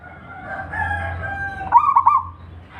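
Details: Local wild zebra dove singing in Indonesia: after a drawn-out, steady, faint tone, one loud, short phrase of quick wavering, rolling coos, with low rumbling background noise throughout.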